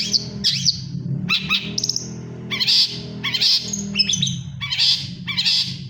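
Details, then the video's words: Long-tailed shrike, moulting yet in full song: scratchy chattering phrases mixed with brief high whistles and squeaky notes, coming in irregular bursts over a low background hum. "cendet mabung tetap gacor"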